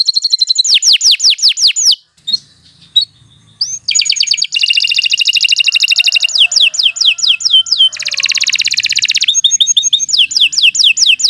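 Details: Canary singing long tutor song, mixing rapid downslurred note series with dense buzzy rolling trills and sharp repeated chips; a short quiet gap with faint low sounds breaks the song early on.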